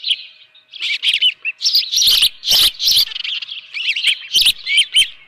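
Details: Osprey calling at the nest, 24 June 2018 at 7:32 AM, live fish present: steady high chirping of curved whistled notes, with a few heavy knocks in the middle and near the end.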